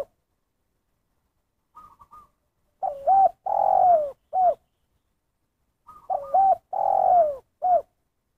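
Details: Spotted dove giving the 'kuk satu' call style: faint higher wavering notes, then a low three-part phrase, a dipping double coo, a long loud falling coo and a short final kuk. The phrase is repeated twice in quiet surroundings.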